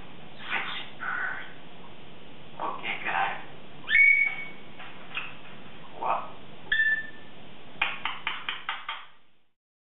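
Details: A 3.5-year-old female Congo African grey parrot chattering and practicing words at the start of her morning: scattered short squawky bursts, two clear whistled notes, and a fast series of clicky syllables near the end, indoors.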